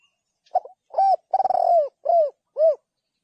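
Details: One spotted dove phrase: a short soft note, an arched coo, a drawn-out coo that starts as a rapid stutter, then two rounded coos that rise and fall. Nothing else is heard.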